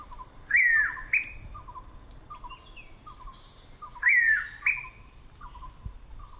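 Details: Blue pitta (Hydrornis cyaneus) at a waterhole hide just outside Kaeng Krachan National Park, Thailand, gives a loud, slurred whistle followed by a short sharp note, twice about 3.5 seconds apart, over another bird's steady low chipping.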